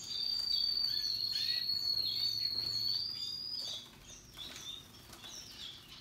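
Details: Singing canaries, Russian yellow and Timbrado, deliver a continuous high trilled roll for nearly four seconds before it fades into quieter scattered twitters and chips.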